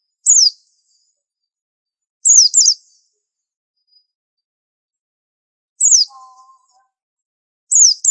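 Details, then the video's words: Pleci, or white-eye, 'super antik' masteran tutor song: single or paired high, sharp down-slurred whistles repeated every two seconds or so, with long silences between; a faint low tone sounds briefly once. "Pleci super antik masterannya harus unik"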